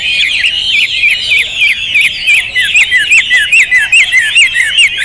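A Hwamei pours out a loud, fast stream of high, slurred, looping whistles, two or three notes a second, with a slight room echo.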